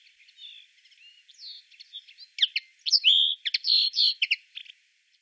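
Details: Common linnet in the town of Wittlich, Germany, 2018, giving a lively twittering song: soft warbled notes building into louder sharp chirps and slurred whistles, roughly two per second.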